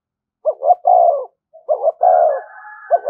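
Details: Spotted dove giving its luring 'thúc gù' coo: a paired short note and long flat coo, repeated twice, with a higher sustained tone trailing behind and the start of another phrase at the end.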